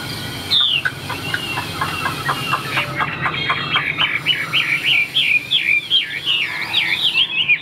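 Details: Tame caged Chinese hwamei in full song: a high falling whistle, a patter of soft short notes, then a lively run of loud looping, rising and falling whistled phrases.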